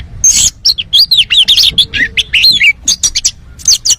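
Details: Champion oriental magpie-robin in loud, full-repertoire song used to lure other birds into singing: a rapid stream of varied high chirps, twitters and sliding whistles packed tightly together, with no other sounds.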